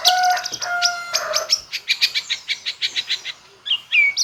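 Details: Full repertoire of a White-rumped shama with imitated phrases: steady whistled tones open, followed by a fast regular series of about fifteen sharp chirps, then two loud whistled notes.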